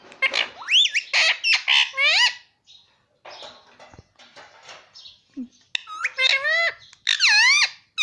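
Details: Pet Indian ringneck parrot kept at home, talking nonstop with repeated words such as "mummy" and "papa": loud, harsh squawks and rising, buzzy whistled syllables in rapid bursts, with short quiet gaps and faint background music.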